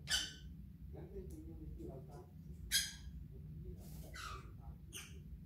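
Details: Pet parrot in a destructive mood indoors utters several short, harsh, scratchy bursts spaced a second or more apart, with low room hum and soft background sounds between them.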